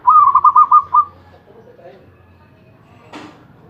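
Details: Zebra dove, a contest-champion bird singing without pause, gives one quick phrase of about six rolling, pulsed coos on a steady pitch. Faint low murmurs follow, with a brief dry knock near the end.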